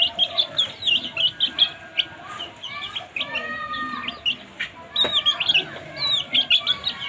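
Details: Several baby chicks feeding and chirping, loud high peeps in quick bursts, some downward-sliding, with a sharp click midway.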